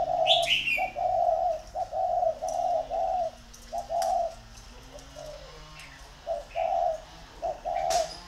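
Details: Spotted dove decoys, a pair kept in captivity in Ba Vì, Vietnam, competing in calling: a busy run of low, round coo notes in short bursts, broken by brief pauses, with a faint high chirp near the start.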